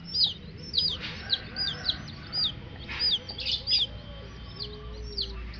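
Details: Coloured baby chicks kept with a hen give high, downward-sliding peeps in scattered bursts, with a faint lower clucking tone and a steady low hum underneath.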